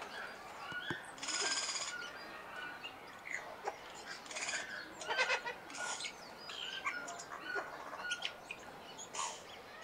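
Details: Giant wood rail (Aramides ypecaha), a large South American marsh bird, gives loud, harsh, raucous calls in uneven bursts, with broad noisy notes and grating phrases over a steady background hum.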